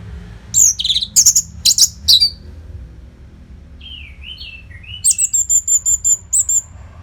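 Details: Orange-headed thrush (anis merah) in continuous training song to keep contest birds fit: loud buzzy high bursts, a soft mimicking whistled phrase, then a rapid evenly repeated series of high chips.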